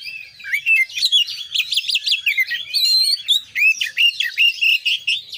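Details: An Oriental magpie-robin pours out a fast, unbroken run of varied whistles, chirps and rattling trills, packed with borrowed phrases from other birds.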